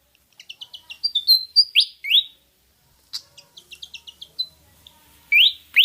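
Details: Pied fantail, Rhipidura javanica, used as a lure to make birds sing: quick tinkling twitter climbing into a sharp upslurred whistle, a pause, another twittering run, then two loud swooping whistles.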